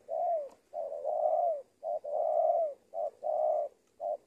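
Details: Decoy tekukur (spotted dove) from Indonesia repeating long, rich, slightly descending coos alternated with short clipped notes, loud and close, with a faint click at the start.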